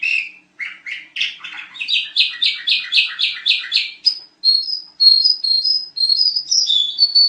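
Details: Sooty-headed bulbul singing loudly for tutoring other birds: a steady run of rapid bubbly notes roughly twice a second, rising into a series of high, clear whistles at the end.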